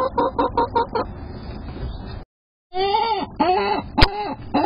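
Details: Seven-month-old laying hens calling: a few quick clucks at the start, a brief gap, then several drawn-out arched squawks and a sharp click, with some low background rumble.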